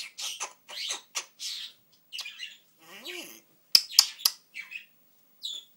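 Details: African grey parrot talking: a run of sharp, harsh squawks and whistled bursts, then a short voice-like phrase with stacked wavering tones, followed by loud clicks and more shrill notes.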